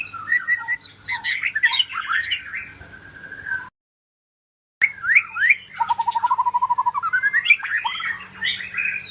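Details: Murai medan (white-rumped shama) singing: rich whistled phrases and slurred notes around the upper-middle range, a silent gap, then a fast run of repeated rapid chattering notes and rising whistles, with a low steady hum underneath.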